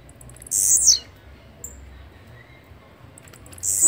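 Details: Loud, rasping high-pitched buzz of the blue-black grassquit, ending in a quick downward slur, then a pause with a faint thin whistle before the next buzzy song begins.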